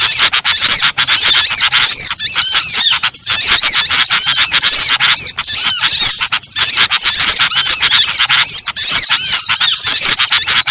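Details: Small birds calling together in a combined trapping lure: a constant high chorus of squeaky chirps and bent whistles, with short bursts recurring irregularly, about every three seconds.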